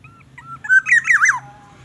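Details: A young greater coucal (nestling) struggling to swallow a rat head brought by its parent gives a short burst of squeaky, wavering calls that rise and fall, over a steady low indoor hum.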